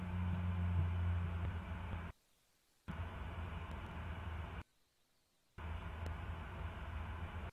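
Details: Steady low hum and broadband noise, broken by two brief silent gaps, with no animal voice heard.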